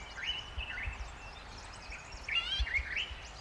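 Green-backed camaroptera giving short, slurred whistled notes that rise and fall in a few quick phrases, over a steady low rumble of background noise.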